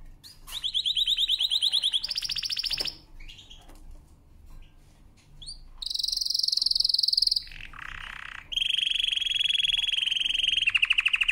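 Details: Powerful canary song for training, with bursts of fast rolling trills at different pitches separated by short pauses, including a low harsh roll and a long high buzzy trill.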